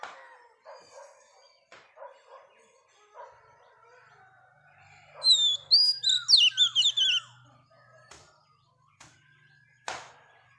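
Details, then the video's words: Wild-caught female Oriental magpie-robin singing to stimulate males: soft, low warbled notes, then a loud burst of clear, sharply rising and falling whistles around the middle, followed by scattered quiet chirps and clicks. "Choè than mái bổi lên giọng hót kích trống"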